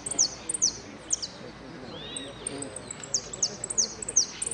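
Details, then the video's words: Saffron finch in the 'sin cierre' class at a singing contest in Merlo, 3 December 2017: sharp, high downslurred chirps spaced by short pauses, with quiet talk in the background. "amarillo sin cierre"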